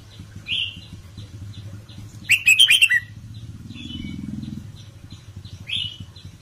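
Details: A caged red-whiskered bulbul sings in the Indo counting-flower style, with short whistled phrases and one rapid stuttering burst in the middle, over a low steady hum.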